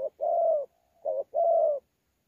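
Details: A wild-caught thổ pha spotted dove at Sa Thầy, 26 November 2019, contest cooing with gù: two soft low coos, a long sustained note, a short wavering note and another long one, background silent.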